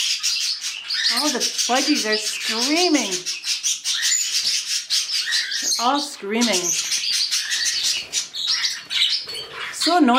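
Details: An indoor flock of budgerigars, with new birds being introduced to the rest of the flock for the first time, screams at once in a dense wall of harsh chirps and warbled squawks.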